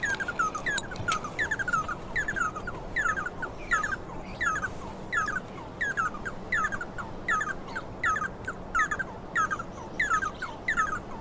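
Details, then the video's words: Red-and-yellow barbet song: a long run of chattering phrases of quick notes, each phrase ending in a falling slur, repeated rhythmically about every two-thirds of a second over steady background hiss. "BARBET VERMELHO E AMARELO"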